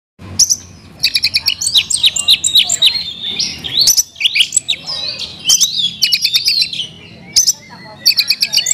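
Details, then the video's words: Oriental magpie-robin kept as a caged songbird, singing a rich, fast varied song of whistled slurs, sharp chips and rapid trills mixed together, with brief pauses between bursts. "kacer isian mewah"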